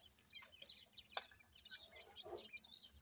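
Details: Feeding grey francolin chicks call their mother with soft, high, overlapping chirps and peeps, a sharp click just after the first second, and low background murmur throughout.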